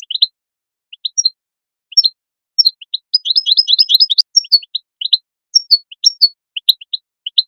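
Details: European goldfinch calls for motivating goldfinches to sing: scattered paired high chirps, a fast twittering run in the middle, then more spaced descending notes; nothing else audible.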